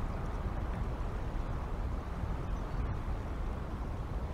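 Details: Continuous low wind and rumbling background noise outdoors near an eagle nest, with no animal calls.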